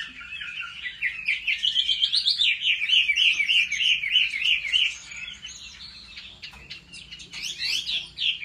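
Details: Chinese hwamei kept at home in training for competitive singing, its wild-style voice meant to stir male birds into song: a loud, fast run of rising and falling whistled notes, rippling in quick repeated trills before a brief pause and a fresh burst.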